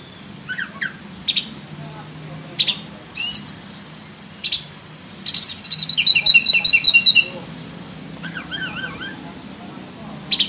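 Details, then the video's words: Oriental magpie-robin of the black-breasted form (kacer dada hitam) giving master 'isian' song: short sharp notes, a rapid two-second string of repeated high chirps, then three wavy whistled phrases. "KACER DADA HITAM ISIAN FULL ISTIMEWA - COCOK BUAT MASTERAN KACER KALIAN"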